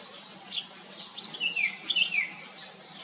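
Common iora chicks beg with thin, high chirps and short downslurred squeaks, about two or three a second, during a feeding visit.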